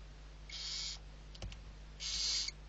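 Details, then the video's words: Two raspy hisses from barn owl chicks, Riet Vell reserve, Spain, with faint clicks between them while the six young are fed. "ГОДУЄМО ШІСТЬ СОВЕНЯТ. СИПУХА."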